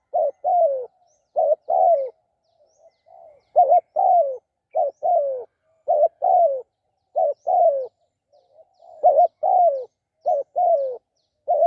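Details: ['Spotted dove calling steadily for about twelve seconds. It repeats a brief warbled note and then a longer falling coo, pair after pair, with faint softer cooing in a few of the gaps.']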